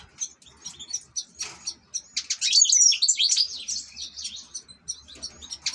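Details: Ornamental European goldfinch singing scattered high chirps that build into a loud, tumbling twittering phrase. Sharp separate notes follow the phrase.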